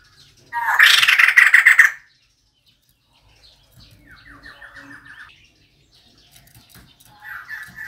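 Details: A female White-crested laughingthrush gives its decoy call. A loud, dense, grating chatter lasts about a second and a half, then quieter chattering series follow, with another rising burst at the end.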